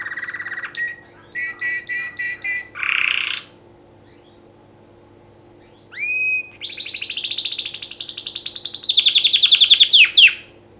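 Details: Canary song for mating: short buzzy bursts and staccato chopped notes, a pause, then rising swept whistles leading into a long, loud, fast high trill with varied pulsing phrases.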